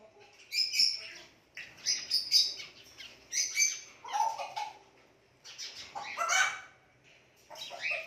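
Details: Indian ringneck parakeet calling in loud, harsh, squawky chirps, delivered in bursts roughly every second with brief pauses between.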